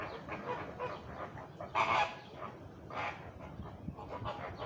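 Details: Flamingo giving harsh, nasal honks, with one louder burst near the middle and fainter honks spaced around it, against constant background noise.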